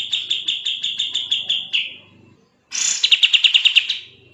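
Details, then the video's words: Kapas tembak, the sooty-headed bulbul, in fast, tightly packed gacor song used for tutoring cage birds: a quick series of sharp repeated chirps that fades out, a short gap, then a burst of shriller rapid notes. "BURUNG KAPAS TEMBAK GACOR SPEED RAPAT"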